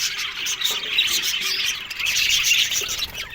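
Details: Short burst of Australian budgerigar colony chatter in an aviary, lively overlapping chirps and scratchy twitters from many birds.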